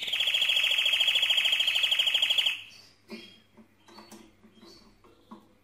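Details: Mosaic canary delivering a loud, rapid rolling trill of regular repeated notes for over two seconds, then quieter scattered chirps and soft call notes.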